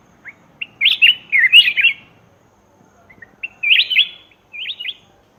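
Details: Used to lure wild birds, a black-crested bulbul sings three bouts of quick, lilting whistled notes, each a jumble of rising and falling chirps, separated by short silences.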